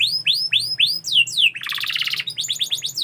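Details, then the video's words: Canary repeating arched whistled notes about three times per second, then a dense rattling trill and a quick series of rising chirps. "KICAU BURUNG KENARI"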